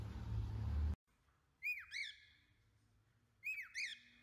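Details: Pet cockatiel singing indoors: after a brief burst of noise, two pairs of clear whistled notes, each sliding up then dropping, about two seconds apart, over near silence.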